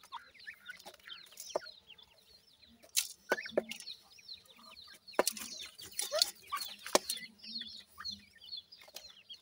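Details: Many francolin chicks peeping in overlapping high chirps, with bursts of rustling and clattering noise and sharp knocks through the middle.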